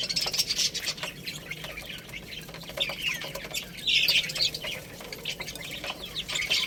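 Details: Chicks eating rice, calling in clusters of high, trilling peeps at the start, middle and end, amid frequent soft pecking clicks.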